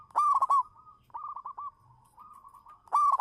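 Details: Local zebra dove (perkutut lokal) lure bird singing manggung: a loud trilled coo, a held tone, a series of softer descending coo notes, then a second loud trilled coo at the end.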